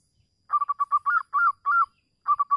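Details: Local zebra dove cooing as a lure to set other doves singing, a gentle low stuttered series of rapid notes ending in drawn-out rolling coos, then a pause and a fresh burst of quick notes; no other sounds.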